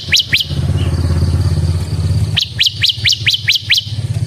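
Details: Bar-winged prinia, ciblek semi type, singing gacor ngebren style as a lure and tutor for ciblek: two sharp high chirps, a gap filled by a rumbling engine, then a run of seven quick upslurred chirps over continued motor noise.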